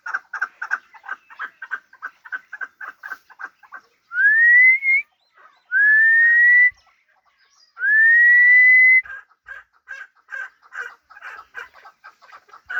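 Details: Hybrid fighting chukar partridge uttering rapid rhythmic clucks, interrupted by three long rising whistled tones about two seconds apart, after which the chuck series resumes.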